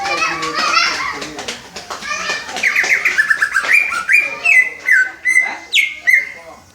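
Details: Juvenile greater green leafbird in training, copying the 'Om Telolet Om' bus horn call; a busy jumble of chirps turns into clear, stepped whistles, each phrase repeated about every half second, ending in steady held notes.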